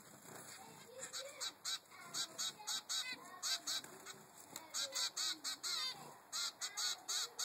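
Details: Begging zebra finch chick, three weeks old, pestering its mother for food: rapid runs of nasal, buzzy calls, some drawn out, over a soft background murmur.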